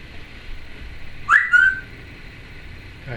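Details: Pet female Timneh African grey parrot making noises: a single clear whistle that jumps up then glides down and levels off, in a quiet room.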